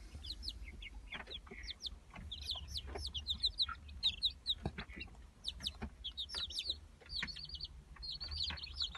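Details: A group of Brahma chicks in the 2018 season, peeping almost nonstop: overlapping high, sharp cheeps, some doubled or in short runs, with a faint low hum underneath.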